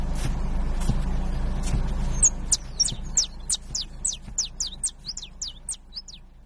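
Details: Canary whose singing begins after two quiet seconds: a steady train of high, sharply falling chirps, about four per second, slowly fading over a low rumble.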